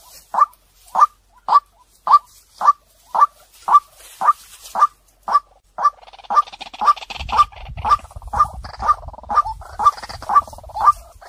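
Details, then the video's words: A long, regular run of white-breasted waterhen lure notes, about two per second, loud and clear-toned throughout, while a low rumbling noise and faint hiss rise beneath the later notes. "เสียงนกกวักต่อ2020 เสียงใสเข้าเร็วมาก"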